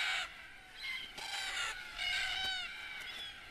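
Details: Red-tailed black cockatoos at a treeline waterhole on the Australian desert edge, arriving at sunset; mostly single birds, younger ones flirting with tail displays: harsh, rolling, grating calls overlapping and rising and falling in quick succession from several birds in a boisterous evening gathering.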